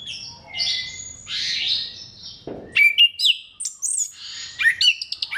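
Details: Orange-headed thrush in full song, used to draw other thrushes into singing. A slurred, slightly harsh warble is followed by a dull thump, then a quick series of sharp high chirps and whistles.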